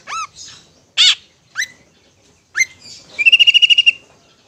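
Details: Long-tailed shrike ngetet song for stimulating stressed or silent shrikes: scattered harsh and upslurred notes with gaps, closing in a fast even trill of about ten notes.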